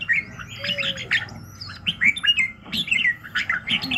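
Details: Red-whiskered bulbul in morning song for voice training: lively clusters of warbled, rising and falling chirps in quick succession, with a short thin whistle and light background hum.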